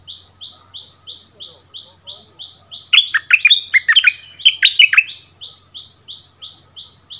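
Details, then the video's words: Steady, rhythmic high clipped notes frame a central two-second burst of loud, rich, dropping notes, a decoy bulbul answering the new territory holder at its former territory. "เสียงนกดอกแตงEp.30 คืนถิ่นเก่า!!ดวลเพลงเบิ้ลกับเจ้าถิ่น Burung merbah lekir"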